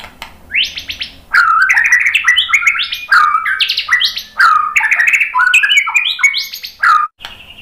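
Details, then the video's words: White-rumped shama song used as a lure to prompt other shamas to respond: loud, fast run of varied whistled and chirped notes, many sweeping downward, tumbling without pause. "suara MURAI BATU bikin cepat NYAUT jadi GACOR BONGKAR MATERI ISIAN ¦ PANCINGAN MURAI ¦ SHAMA BIRD"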